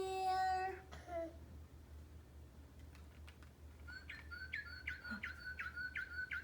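Cardinal song: a quick series of clear, slurred whistled notes, about two or three a second, after a person's voice speaks indoors.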